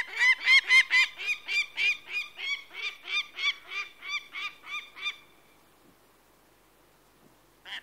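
A peregrine falcon gives about sixteen harsh, rasping notes, roughly three a second, that fade slightly over five seconds. Then silence follows, with one brief note at the end.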